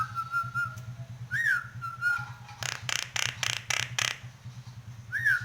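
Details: Caged Nias hill myna in breeding condition, head-bobbing while singing: clear level whistles and a rising-falling whistle, then a run of five harsh broadband bursts, with a steady low hum underneath.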